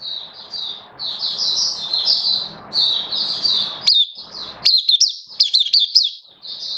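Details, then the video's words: Oriental white-eye, a caged songbird recorded in September 2022 while slightly off form, delivers a sustained stream of high warbling chirps, then switches to crisp, clipped notes delivered in quick clusters. "Mata Puteh Kitaro Buka Sing"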